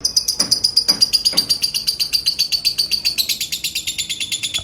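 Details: Female lovebird singing at sunset: rapid, high, scratchy chirps repeated about four times a second, with a thin whistled tone sliding slowly downward through the first three seconds and a few soft low thumps.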